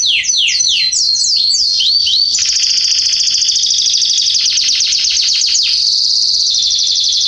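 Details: Garden canary song recorded in September 2020, opening with quick downslurred whistles, then a long, dense, rattling high trill held for several seconds.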